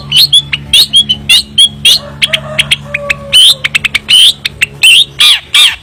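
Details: Long-tailed shrike (cendet) in energetic varied song. Bright, rising whistled notes alternate with short sharp chips and scratchy bursts, including a few lower drawn tones midway, with a low hum underneath.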